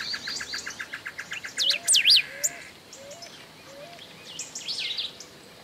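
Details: Golden-billed saltator singing near Esperanza, Argentina, in 2019: a short burst of loud, sweeping whistled notes. Other birds sound at the same time, with a fast series of chips and soft, low, rising whistles repeated.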